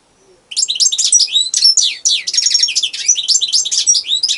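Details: European goldfinch singing alone: a loud, continuous stream of high twittering and tinkling notes, rapid liquid phrases run together with only a brief break midway, and no other sounds.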